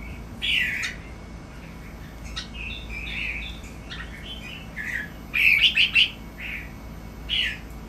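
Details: Caged Red-whiskered Bulbul breeding stock at a bulbul breeding farm in Thailand, singing playfully: short slurred whistled phrases, rising and falling, given in scattered bursts with a quick cluster of bright notes near the end.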